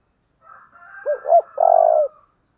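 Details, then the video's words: Single phrase from a decoy spotted dove calling to provoke wild birds: two short rounded coos and then a longer, buzzy, trembling coo. A faint high whistle runs behind it. "Cu mồi thúc vầy chịu gì nổi"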